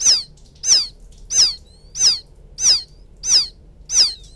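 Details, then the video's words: A quail chick of the rice fields calls its mother with a loud, very regular series of seven sharp, high peeps. Each note drops quickly in pitch, and they repeat every two-thirds of a second. "Suara pikat anak burung puyuh memanggil indukan,suara anak puyuh ladang,puyuh sawah"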